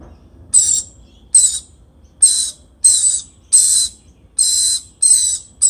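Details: A lorikeet feeding its baby gives harsh, hissing screeches in short rasping bursts, about eight in quick succession at a steady pace, over a faint low hum.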